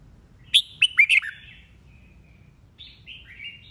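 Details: Mature wild-caught red-whiskered bulbul in bọng-style competitive singing. A loud burst of four sharp, bright whistled notes is followed by softer, trailing warbled phrases.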